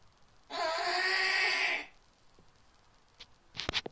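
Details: Captive snowy owl at its nest in a breeding-centre aviary: a single drawn-out raspy screech lasting over a second, even in loudness, followed by soft taps and a brief rustle.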